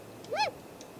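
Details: A single smooth whistled note, rising and dropping in an arch, comes from a great grey owl at the nest during a morning visit on 2 April 2018, picked up by a nest-tree camera.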